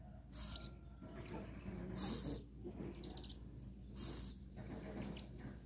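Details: Rescued little owl awaiting food, to be released back into its habitat later, giving loud harsh high screeches about every two seconds, each burst brief and hissy, with a constant low droning hum beneath.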